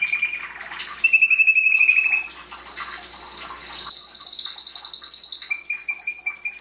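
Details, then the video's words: Singing Belgian canary, breeding season 2016, song used to encourage chicks: a brief trill, then a long high sustained whistle held for several seconds, followed by a lower rapid pulsed trill. "Canario belga cantando (MELHOR CANTO) para encartar filhotes"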